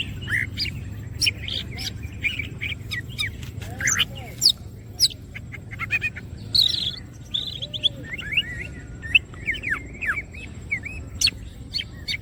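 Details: Greater green leafbird in vigorous song with wings spread, delivering a long varied medley of sharp chips, quick whistled slurs and twittering bursts, with brief soft lower notes in the background.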